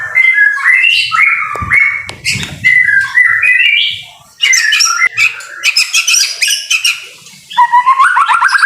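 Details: White-rumped shama singing in the rain, a masteran recording of vigorous gacor song: varied loud whistled phrases, quick slurred notes and rapid chattering bursts, with a short pause midway before dense trills and rising whistles resume.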